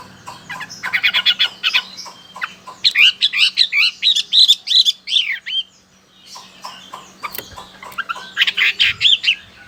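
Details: Chinese hwamei, a lively bird bred in Indonesia from Chinese stock, recorded in Sokaraja, Central Java: vigorous song of fast repeated chattering notes and sweeping whistled phrases in several bursts, separated by short pauses, over a faint low hum.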